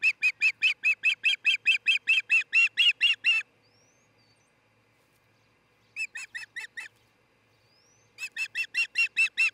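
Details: Nest-cam recording from Charlo, Montana, early morning 26 June 2018: an osprey of a nesting, mating pair gives a long rapid run of about fourteen piercing chirps, falls silent, adds a shorter softer burst, then resumes loudly.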